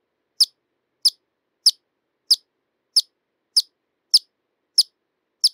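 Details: Hummingbird chipping steadily, one sharp high note roughly every 0.6 seconds, nine in a row with no other sounds.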